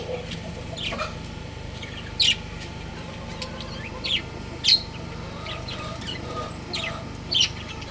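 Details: Budgerigar breeding pair kept as pets: a few short, piercing chirps stand out at 2 to 3 second gaps, with fainter soft twitters between them and a constant low hum underneath.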